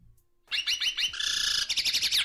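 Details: A chestnut-bellied seed finch (curió) gives quick, high, falling whistled notes that break into a harsh, raspy throaty buzz, called a "serrada em R" and drawn from the throat, then resumes with sharp clipped notes.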